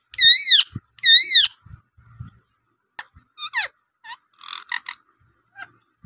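A rose-ringed parakeet gives two loud, harsh wavering screeches, then a string of shorter chirps, clicks and squeaky notes in an irregular jumble.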